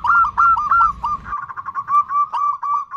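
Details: Female zebra dove giving the 'nutut' call to attract a male, a rapid run of short, hollow cooing notes that quicken and blur into a rolling sequence, with low background rumble at first.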